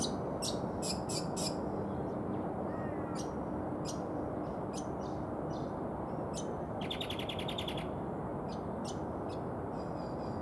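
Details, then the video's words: Brown honeyeater (Lichmera indistincta) giving sharp, high chips and short bursts, including a quick rattling trill, over steady low wind or traffic rumble. "The sound of Brown Honeyeater"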